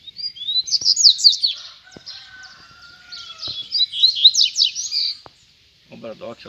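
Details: Caged male rusty-collared seedeater, apart from the female, challenging free rivals to fight from about a metre away. Two bursts of rapid, rolling, high twittered phrases sit over a thin sustained whistle, followed by a short lower rattle.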